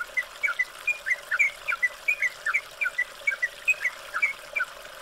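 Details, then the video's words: Yellow-vented bulbul (trucukan) on a training recording meant to get a bird singing again: a steady run of short, sharp chirped notes, roughly four or five a second, over a constant watery hiss. "MASTERAN BURUNG TRUCUKAN GACOR"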